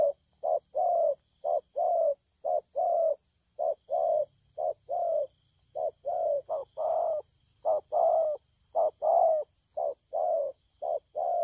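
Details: Newly captured wild spotted dove giving thổ pha cooing, dated 12 October 2019: continuous series of deep, soft coos, short notes mixed with longer slightly falling ones, at about one per second.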